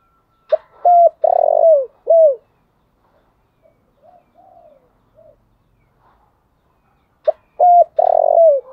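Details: Spotted dove decoy bird calling in the morning: a short coo, a long buzzy rolling coo and a falling final note, given twice with softer, fainter coos in the quiet gap between.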